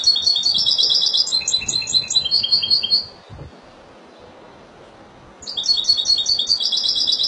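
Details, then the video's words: Goldfinch of Spanish type, Málaga, delivers a three-second phrase of fast tinkling, chattering high notes. A pause of about two seconds follows, then another similar twittering phrase begins. "لعشاق تغريد الحسون الاسباني ( مالاقا)"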